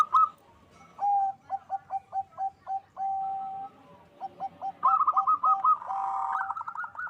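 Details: Several captive local zebra doves in Bekasi, Indonesia, sing loudly to heighten mating drive. Evenly spaced hooked coos repeated about five per second, then overlapping fast beaded trills from more birds.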